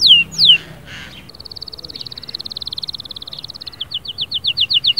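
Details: Fierce canary song, played to motivate a quiet canary: two sharp descending whistles, a long rapid pulsing trill, then a run of quick falling notes repeated about twice a second.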